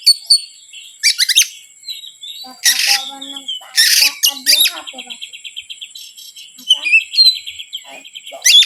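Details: Oriental magpie-robin provocation song: loud scratchy and rasping bursts early on, then a long run of quick repeated notes and high whistles, all over a constant high hum.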